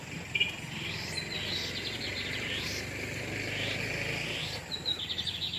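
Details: Wild lined seedeater males, torniado birds, trading song while a female sits on her nest: repeated rising sweeps and buzzy pulsed trills, loosely spaced through several seconds, against a continuous high insect drone.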